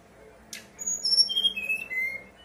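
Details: Brown-chested jungle flycatcher giving its fluting song as a lure to make new birds start singing: one click, then slow clear whistles, each lower than the last, ending on a long low note.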